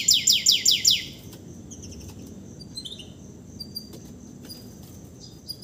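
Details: Canary singing freely just after moulting, a bird used to tutor others' song. Five quick descending whistled sweeps open the phrase, then soft scattered chirps and thin notes follow over quiet background.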